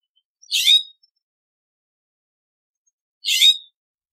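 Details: California scrub jay uttering two harsh, raspy notes about three seconds apart, with nothing else audible.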